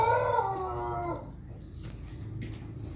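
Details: Pelung rooster during morning feeding, loud ending of a crow that slides steadily downward and fades out after about a second, followed by low background noise and faint clicks.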